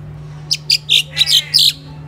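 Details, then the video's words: Crested myna kept as a pet in a Philippine home calling close and loud: five or six sharp, high chirps in quick succession over about a second, over a steady low electrical hum. "CRESTED MYNA BIRD|| CHIRPING SOUND"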